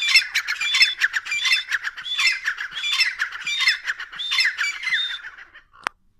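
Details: Pair of dakhni grey francolins calling: loud, grating, rhythmic phrases repeated about every second, overlapping harsh squawks, ending with a sharp click.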